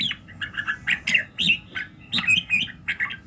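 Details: Red-whiskered bulbul morning song for voice training, a dense stream of quick bubbling whistled notes, several high bright accents.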